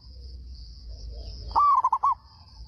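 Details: Local Zebra dove singing loudly to draw replies from other doves: one rising note and then a quick string of four or five clipped cooing notes, over a low hum and a steady high whine.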